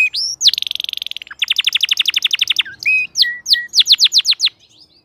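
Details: Full-form crested canary song: a rising whistle, a fast steady trill, then a long series of sharp descending notes, each repeated about four to five times a second, ending in loud whistled sweeps.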